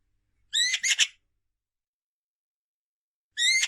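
A magpie nestling gives two harsh, raspy bursts. The first is longer and broken into pulses, and the second comes after a pause of about two seconds.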